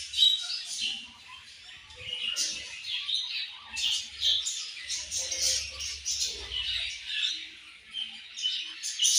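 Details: Several budgerigars squawking and chirping in uneven bursts of scratchy high chatter, with a faint low hum partway through.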